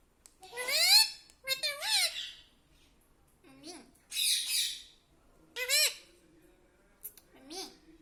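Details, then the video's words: Talking parrot said to call mummy and papa; a string of separate short phrases, each a quick rising then dipping voiced syllable, mixed with one hoarse breathy burst and brief pauses. "talking parrot mummy papa"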